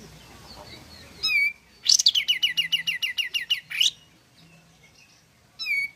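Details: Pied fantail in full song, the recording used to lure other pied fantails into singing: a squeaky note, then a fast run of about a dozen sharp chirps, each dropping in pitch, and a lone note again at the end.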